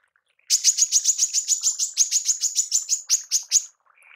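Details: Female manggar giving a tembakan, a rapid-fire burst used for mastering songbirds: about eighteen sharp, high, clipped notes in a steady three-second run, then a faint, lower buzzy sound.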